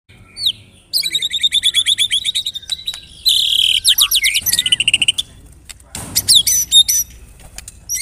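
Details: White-rumped shama (murai batu) song used as a lure to prompt other shamas to sing: fast runs of bright, buzzy repeated notes, trills and short whistled slurs, with brief pauses between bursts.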